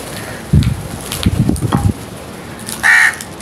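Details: Crows feeding, giving a single harsh caw near the end after low thumping and pecking sounds from the birds at their food.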